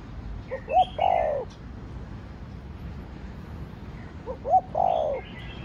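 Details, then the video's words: Spotted dove cooing in the Thổ Đồng style, played to excite kept doves: two phrases about 3.5 seconds apart, each a couple of short notes leading into a drawn-out falling coo, with background hiss and faint high twittering. "Cu gáy giọng Thổ Đồng Thúc, Gù kích bổi nhanh nổi/ tiếng chim cu gáy giọng thổ đồng gáy, cu đất gáy"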